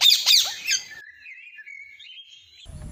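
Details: One of three parrots perched on branches and calling gives two harsh squawks, then a long wavering whistled note that slides gently upward before fading, with a low rumble at the very end.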